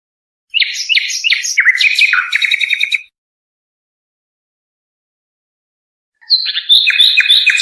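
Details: European goldfinch song for teaching young birds: two bursts of rapid, varied twittering and chirps, separated by three seconds of silence.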